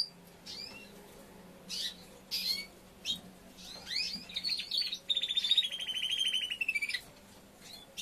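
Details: Young male Timbrado canary trying out its song after moulting: scattered sharp chirps and slurred whistles, then a long rapid rattling roll that glides gently downward for about two seconds before breaking off.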